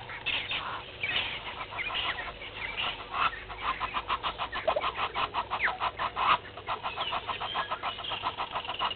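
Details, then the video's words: At a waterhole on Djuma Game Reserve in South Africa's Sabi Sand, a red-billed hornbill searching for food at 07:48 on 20 March 2021 gives a long, steady run of clucking notes, several per second, over a chorus of other birds. "Red-billed Hornbill looking for a meal"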